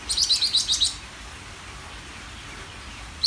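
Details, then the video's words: Greater green leafbird delivering one quick run of about six sharp, high chattering notes, followed by more than two seconds of quiet background hiss. "SUARA CUCAK IJO GACOR DOR BIKIN BURUNG LAIN EMOSI"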